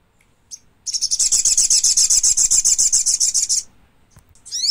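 A thick-billed spiderhunter gives a fast, even run of about twenty sharp, high chips over roughly three seconds, followed by a brief rising squeak.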